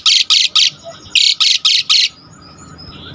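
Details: Asian pied starling (jalak suren) in lively full song, used as a lure to excite other starlings into singing: seven harsh, buzzy, rasping notes in two quick bursts of three and four, then quiet.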